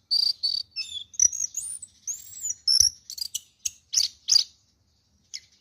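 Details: Caged orange-headed thrush, an award-winning songbird, singing a rich, high, varied song of clear whistles, quick chirps and rapid trills, with short pauses between bursts.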